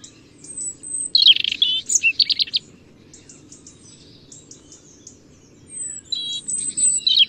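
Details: European robin delivering two bursts of song: a cluster of rapid, scratchy, high twittering notes, a long quiet pause, then another sweet, tinkling phrase rising to very high pitches.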